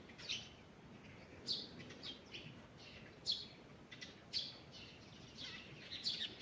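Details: Birds singing in a forest in the morning: loud, sharp high chirps spaced about one to two seconds apart, with softer twittering between them and a quiet hiss behind.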